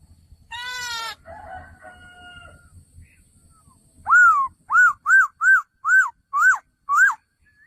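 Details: Male laughingthrush: a rough, buzzy harmonic burst and a drawn-out nasal note, then seven evenly spaced, arched whistled notes.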